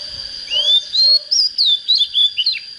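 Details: Untrained Oriental magpie-robin just coming into breeding form, with a standard voice: a rising whistled phrase, then a run of loud, clear, sweeping whistles in quick bursts, about seven notes, over a steady high background tone.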